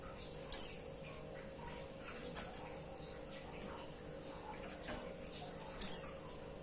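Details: Female white-eye calling to the male: two loud, shrill, high notes falling in pitch, about five seconds apart, separated by softer high slurred notes.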